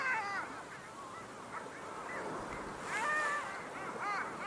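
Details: Long-tailed duck, named Estonia's 2023 bird of the year: fainter, more distant nasal yodelling calls from several birds scattered through the clip, one clearer group near the end, over rushing background noise.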